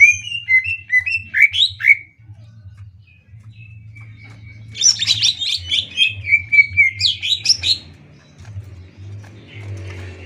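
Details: Greater green leafbird song used to train other birds: a run of rising whistled notes, a thin held tone, then a dense burst of fast chattering and twittering phrases, over a steady low hum.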